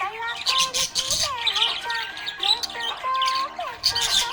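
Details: A happy pet budgerigar warbles and chirps in a quick, wavering stream of squeaky, speech-like notes.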